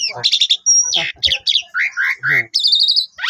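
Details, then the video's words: Caged Asian pied starling singing in short bursts while playing with its owner: chattering notes, a thin high whistle, slurred warbles and a fast buzzy trill, closely packed. "Bermain Sama Jalak Suren Gacor Full Isian"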